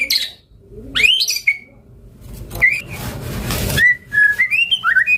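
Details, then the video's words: White-rumped shama whistling rising and steady notes, then a series of short clear whistles, with a patch of rushing noise midway. "Masteran Suara Burung Murai Gacor Full Isian"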